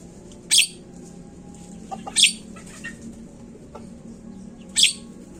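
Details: Lure sound of a Javan myna (jalak kebo) used to prompt birds to call fast: three loud, scratchy bursts spaced irregularly, with a few faint squeaks between them and a steady low background hum.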